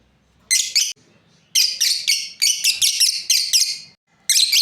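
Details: Breeding pair of pet lovebirds chirping: loud, shrill, buzzy high chirps in clustered bursts separated by brief silences, with a faint low hum underneath.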